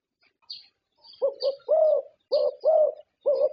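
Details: Contest-winning zebra dove from Thailand: a soft lead note, then a run of six low, full coos in rhythmic pairs and triplets, with thin high chirps from other birds in the background.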